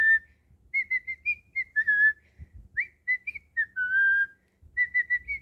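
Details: Cockatiel kept as a pet, whistling during play: a chain of brief pure whistles rising and falling in a tune-like pattern, one upward swoop and a long held falling note, then quick repeated notes, with faint thuds nearby.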